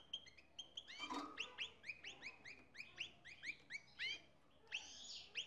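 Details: An excited male European goldfinch sings while mating with a canary to breed hybrids. Bright, rapid, upward-sweeping twittered notes repeat several times a second, with a brief buzzy burst near the start and end.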